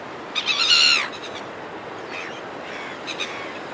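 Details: Red-billed gulls calling close by in flight over a cliff top: one loud harsh descending squawk, then fainter, distant calls, over steady wind or surf noise.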